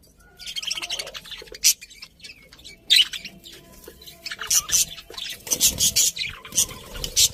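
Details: Budgerigars chirping and warbling, sharp high squeaks and scratchy chatter starting after a quiet half-second and growing busier toward the end.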